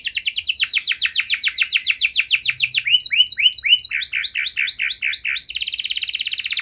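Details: Canary with a varied song aimed at stimulating other canaries to sing: descending repeated notes in a rapid series, then clipped rising chirps in quick rhythm, ending in a fast, even buzzy trill.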